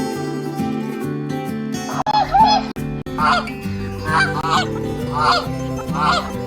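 A goose gives loud, nasal honks, about one a second, over steady background music.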